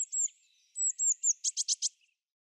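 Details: European greenfinch twittering with a run of high, slurred whistled notes, then four quick buzzy, rasping notes in a row, against near-silent background.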